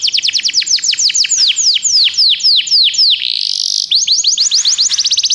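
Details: Canary song played to stimulate a pet canary into singing: fast trills of sharp descending notes, slowing into longer swoops, a brief buzzy rolling phrase, then another rapid trill.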